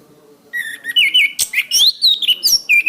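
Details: Orange-headed thrush singing for a cage-bird training master: a continuous, rich warble of clear whistled phrases that twist up and down, delivered rapidly without pause.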